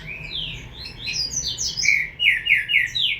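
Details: Young green-winged saltator giving a continuous jumble of slurred whistled notes, a busy twittering start followed by a string of four or five similar descending notes repeated in quick succession.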